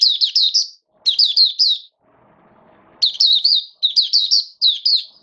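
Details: Caged Oriental white-eye on 8 October 2022, rainy weather, singing bursts of three or four rapid high, sweet, wavering whistles, with a quiet gap of faint rustling before further lively phrases.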